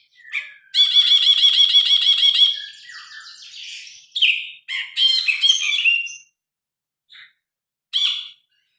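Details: Loud song of a grey-cheeked bulbul captured on a phone: a long buzzy rattling trill of fast repeated pulses, then a soft warble, harsh chattering phrases and a few sharp single notes separated by pauses.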